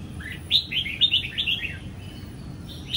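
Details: A recently moulted young red-whiskered bulbul from Sông Kon, caged and basking in morning sun, gives a short lively phrase of rapid whistled notes sweeping up and down, then starts again at the end.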